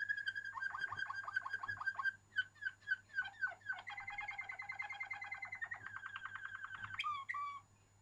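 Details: Waterslager canary singing a sequence of tours: fast repeated clear notes, slower spaced dripping notes, then a long rapid rolling trill ending in a sharp rising and falling flourish.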